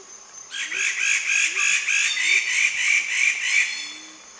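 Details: Male Wallace's standardwing (Semioptera wallacei), a bird-of-paradise of North Maluku, giving loud, harsh, raspy calls in a rapid series of about three per second while dancing, with faint lower whistled notes beneath.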